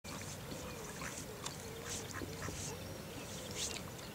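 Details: Mallards on the River Avon at Pershore, being fed, give short, raspy quacks and soft nasal notes at irregular intervals over a steady background hiss of moving water.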